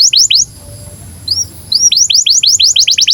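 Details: Canary song from a bird in breeding condition, for teaching young canaries: a few sharp swept chirps, a brief pause with two soft whistles, then a rapid run of repeated falling notes.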